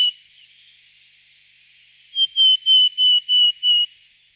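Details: Nominate willow tit producing a clear, pure whistled series: six even, slightly descending notes repeated about three per second, ending abruptly, with no other sounds.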